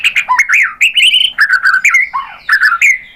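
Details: White-rumped shama song, played to stimulate captive birds into singing: a rich, varied run of loud, slurred whistles and warbled phrases, rising and falling, delivered without pause over quiet background.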